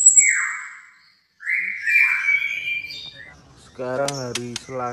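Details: Indonesian white-rumped shama, albino or blorok mutant, giving a high whistle and slurred, descending whistled notes with softer twitters, followed by a man speaking.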